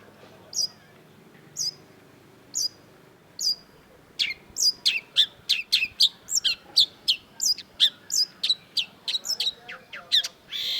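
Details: Long-tailed shrike (cendet) in energetic song: sharp high chirps spaced about a second apart, then a rapid dense run of varied clipped notes, roughly three per second, ending in a harsh burst.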